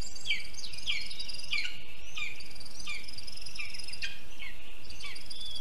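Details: Lesser spotted eagles at a nest in a spruce in Zemgale, Latvia, at 6:48 a.m. on 24 June 2022, as the male brings a water vole and the female feeds the chick. High, sharply falling whistled notes repeat about every second over a steady insect-like hiss and low rumble.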